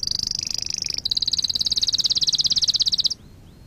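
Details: Canary singing for canary training: a very fast, high, rattling trill held for about three seconds, shifting pitch once partway through, then stopping abruptly.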